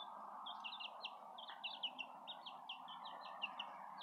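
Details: A steady run of high, piercing peeps from Southern Rambler chicks and a Golden Comet chick, repeated several times a second over a constant low background hum.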